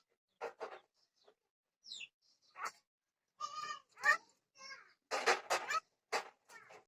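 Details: Myna speaking Odia: voice-like syllables in quick bursts, some harmonic and nasal, others harsh and breathy, with a brief high whistle between phrases.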